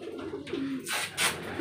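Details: Direct-import fancier pigeons in Zambales: a single short, low coo, followed by loud broadband rustling and handling noise.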